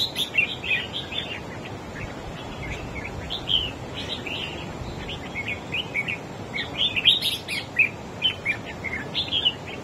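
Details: Wild-caught red-whiskered bulbul singing in a duel against another bird, overpowering its rival: dense bursts of bright, chirpy, warbled phrases, rapid and irregular, over a constant hiss of background noise.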